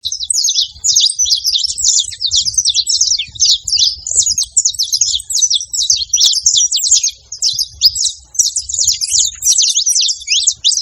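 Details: Saffron finch calling: a dense, nonstop stream of high, sharp chirps and twittering notes overlapping one another, with a faint low rumble underneath throughout.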